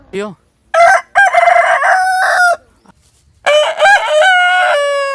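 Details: Rooster crowing: a short faint call, then a loud broken crow in choppy segments, a gap, and another strong, wavering harmonic crow trailing off at the end.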